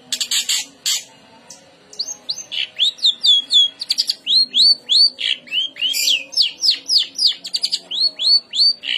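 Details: Long-tailed shrike song meant to make other shrikes respond and sing: a few harsh rasps, then a long run of quick downslurred whistled notes repeated about three times per second.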